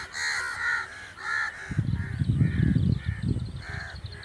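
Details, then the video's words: Natural crow sound: loud, raspy caws come in quick succession, about two per second at first. Deep rumbling bursts follow in the second half while fainter caws go on. "Crow | The amazing birds natural crow sound | کوے | کوے کی خوبصورت اواز"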